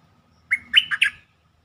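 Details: Bulbul lure song for exciting birds: a single rich phrase opening with a steady whistled note, then three quick bubbling, slurred notes.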